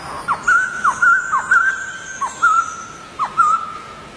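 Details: White-crested Laughingthrush, wild, uttering spaced level whistles, each preceded by a sharp descending slide, at roughly one phrase every half second against soft background hiss.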